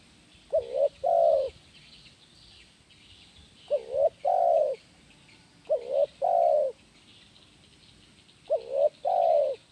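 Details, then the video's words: Spotted dove (tekukur) singing the vigorous "kuk 1" style, a recording used to train other doves. Four low cooing phrases, each two short quick notes and one longer drawn-out coo, spaced about every two to three seconds over faint background hiss. "SUARA BURUNG TEKUKUR KUK 1 GACOR"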